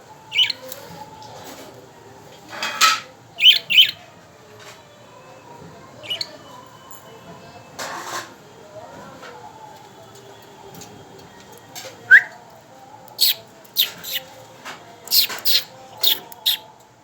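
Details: Three pet budgerigars give sharp, scratchy squawks and chirps in irregular bursts, with a soft warbling chatter between them.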